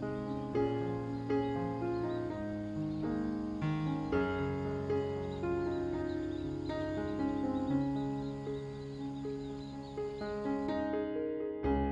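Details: Only soft instrumental music with sustained, layered tones plays throughout; no animal calls stand out.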